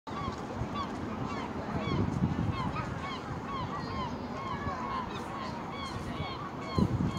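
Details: Juvenile European herring gull at Bognor Regis: a busy stream of short, arched, mewing calls, several overlapping and repeated about four times a second, over a steady low rumble of background noise.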